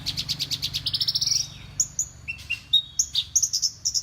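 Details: Horsfield's bush lark, a champion-tuned songbird that mimics other birds such as prenjak, ciblek and sparrows, delivers a fast series of bright high chirps climbing into a trill, then varied whistled notes and sharp slurred phrases.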